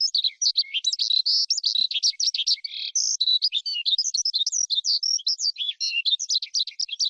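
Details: Unbroken high-pitched skylark song, busy and scratchy, with one sustained whistled note near the middle among rapid chirps and trills.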